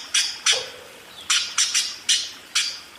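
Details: Budgerigar in a steady singing run: a few loud, harsh chirps, two close together, then a pair, then single notes, over a quiet background.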